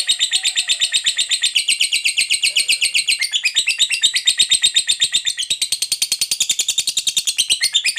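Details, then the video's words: Lovebird, a fighter-type bird kept by hobbyists, giving a long chattering ngekek song used to provoke other lovebirds: rapid, shrill, high-pitched chirps repeated in an unbroken run, several per second, in a small room. "Pancingan Suara Lovebird Ngekek Panjang"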